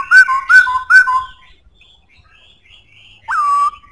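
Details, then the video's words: Black-throated laughingthrush repeating a rich, ringing whistled phrase three times in quick succession, then after a pause a single downward-sloping whistle that levels out. "Khướu bạc má hót cực hay,giọng khỏe"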